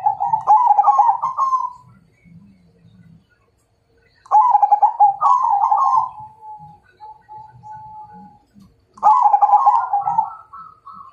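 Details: Zebra dove of the Majapahit type singing as if challenging a rival to fight: three bursts of rapid, rolling, staccato cooing, each about two seconds long. The bursts repeat roughly every four to five seconds, and some end in a drawn-out steady coo. The room is otherwise quiet.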